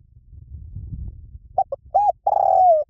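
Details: Spotted dove song in 'liu tan' style, played to prompt a trained dove to coo back. After a low rumble, two short clipped notes lead to an arched coo and a long buzzy coo that slides downward at the end.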